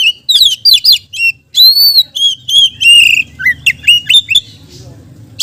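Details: Oriental magpie-robin singing, a recording meant to lure other magpie-robins: a fast run of clear whistles, upslurred and downslurred notes and some harsher elements, delivered almost without pause, then fading out.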